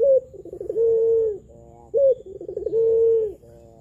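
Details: Spotted dove of the pelung type, used as a lure for doves that are reluctant or learning to call: low cooing phrases, each a short rising note, a rough rolling burr and a long steady coo, repeated twice.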